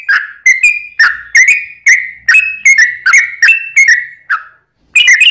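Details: Yellow-vented bulbul pouring out fast bubbly song to provoke other bulbuls; quick gurgling whistled notes in rapid sequence, a short silence, then another lively burst at the end.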